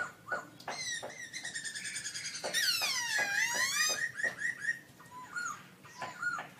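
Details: Black-throated laughingthrush singing very loud from its cage at an October 2016 contest: a dense, rich outpouring of layered whistles, with rising and falling glides, then shorter looping notes, over a busy background.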